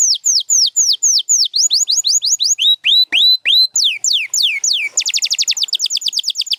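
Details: Canary song from a mix of champion canaries including Gloster and Spanish Timbrado: fast repeated whistled notes, falling sweeps in series, then rising slurs, ending in a rapid dense trill, all high-pitched and loud.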